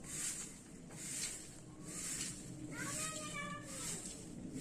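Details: Young Indian ringneck parakeet producing repeated airy hiss bursts about once a second, with a short squealing tonal note near the middle, against low background rumble.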